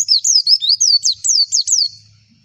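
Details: High sweeping whistles from a pleci white-eye, used as a tutor call to make others respond: about nine quick rising-and-falling notes in under two seconds, fading into quiet.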